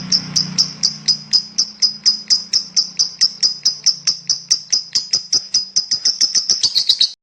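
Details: Champion lovebird giving a fast run of clipped, high-pitched chirps in an even rhythm, over a faint low hum, ending in a short burst of denser chatter.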